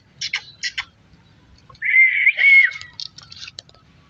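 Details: Parrot, apparently young, eating melon seeds: short bright chirps, then a loud drawn-out squawking note with a wavering pitch, followed by more scattered quick chirps.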